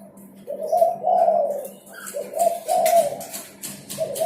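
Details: Spotted dove cooing, a sound used to lure wild birds and to coax silent cage birds into singing: low, soft, mellow coos in paired phrases, with a steady low hum and scattered high clicks behind.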